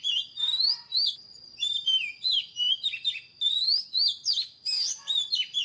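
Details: Wild-caught White-rumped Shama singing loud, rich whistled phrases with sweeping rising and falling notes and rapid flourishes, repeated in bursts with brief pauses, over a steady thin high whistle.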